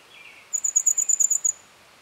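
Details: Red fody (Madagascar fody) gives a quick, very high-pitched trill of about nine even, sizzling notes in one second, insect-like in tone, with a faint lower chirp from another bird just before.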